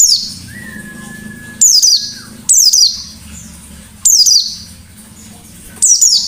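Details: White-eye singing actively in a forest-style, sharp shooting manner, used as a lure: loud, very high, sharply descending bursts repeated every second or so, with a brief steady whistled tone early and a low hum beneath.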